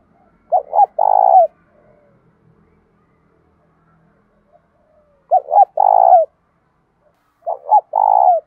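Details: Spotted dove with a thổ-style voice, calling and challenging to fight: three repeated coo phrases, each two short low hoots and a longer purring note, spaced about two to three seconds apart, clear and loud.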